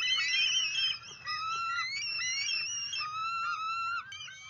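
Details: Bald eagle defending its nest from intruders, recorded by field cam in May 2023: continuous high piping whistles and chitters, notes sliding up and down in overlapping rapid series, with low background rumble.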